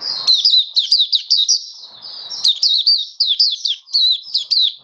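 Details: A caged Oriental white-eye sings in a song-display test on 21 October 2022, a fast, continuous run of high, thin chirps and twittering slurred notes, with a brief pause midway and a faint low rustle.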